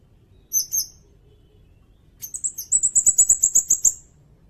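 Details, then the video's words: High-pitched sirindet song used for bird training: a brief thin double note, a pause, then a rapid accelerating series of piercing trilled notes lasting about two seconds over quiet background. "Suara burung sirindet buat masteran bagus juga buat pikat"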